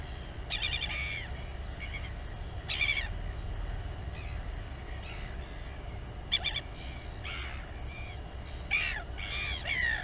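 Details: Harsh, rasping squawks in short bursts every second or two from a royal albatross at the Taiaroa Head colony near Dunedin, New Zealand, as a mother feeds her chick, over a steady low rumble of wind.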